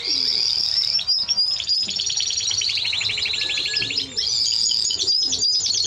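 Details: Song of a Timbrado Español canary: sustained high whistled tone, then a long dense trill of repeated chirps that steps downward, before a return to bright high whistles.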